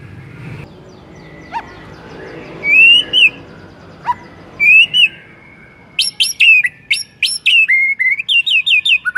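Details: Lure song of a white-rumped shama meant to make other shamas sing: two separate wavering whistles with gaps, followed by a burst of sharp, varied whistled notes and rapid repeated chips.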